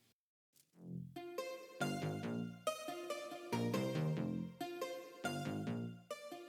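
Bright synthesized music with rhythmic chords and a falling tone at the start; no animal sounds.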